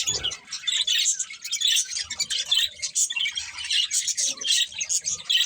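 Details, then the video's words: Budgerigar breeding pair chirping in a busy stream of short squeaky notes and rasping chatter, rising and falling in bursts, with a faint low knock at the start. "Colourful Budgies Chirping Sounds"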